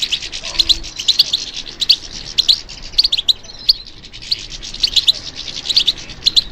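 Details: European goldfinch singing in response to stimulation, a bird trained for song competitions: dense high twittering with bright tinkling notes in bursts, about 34 phrases a minute, over a faint steady hiss.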